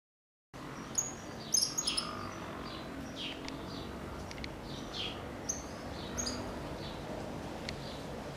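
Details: Cattle tyrant singing: a scatter of short, thin, high chirps and descending squeaky notes over a steady background hiss, with a brief burst of sharp notes near the start.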